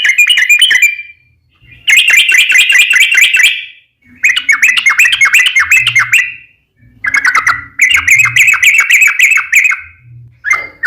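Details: Rolling song of a lively yellow-vented bulbul used to provoke other bulbuls to respond: dense bursts of rapid, bright chattering whistles a second or two long, broken by short silences, with faint low thumps underneath.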